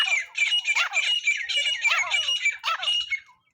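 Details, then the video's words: Teetar, or francolin, in a trapping lure call: loud, grating squawks delivered in a steady, rapid series with rising and falling harsh notes, fading out at the end. "teetar hunting sound"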